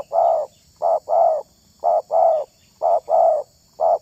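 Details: Spotted dove heard in the wild, valued by hobbyists for luring and selecting wild birds; repeated mellow cooing phrases of short and drawn-out notes, roughly one phrase per second, with a steady high electronic hum in the background.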